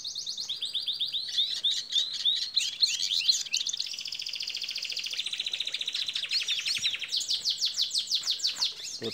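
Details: Captive tarim canary of an ancestral line in an aviary, warming up its song: long rolling trills and rapid repeated whistled notes, shifting between fast buzzy tours and steady pulsed runs.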